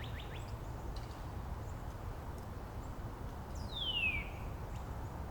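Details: Northern Cardinal singing in Angrignon Park amid neighbouring cardinals trading song variants; one loud, clean downward sliding whistle dropping smoothly over half a second, preceded by faint short slurred notes, over low background rumble.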